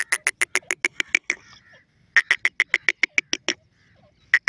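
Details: An Iranian partridge (teetar) gives two bursts of harsh, clucking notes, about eight per second, each burst lasting just over a second, with a single note at the end.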